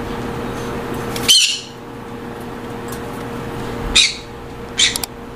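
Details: Aviary-kept Monk parakeets bred as a colony give three separate loud, hoarse screeches, each brief and noisy, set apart by seconds of low hum.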